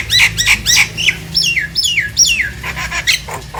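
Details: Nias hill myna singing to stir silent mynas into calling: loud, clear whistles sweeping steeply downward, repeated several times a second over a low hum.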